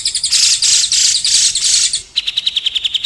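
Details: White-rumped shama song meant to train contest birds: loud harsh bursts of high buzzy notes, then a crisp rapid series of sharp repeated chips.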